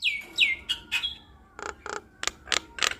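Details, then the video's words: Active Nias hill myna singing through its repertoire of mimicked phrases, meant to prompt silent mynas to call: two loud downslurred whistles, then harsh notes and a run of rasping, broadband clicks. "Jalak Nias Gacor Bongkar Isian Bikin Burung Jalak Malas Bunyi Langsung Nyaut"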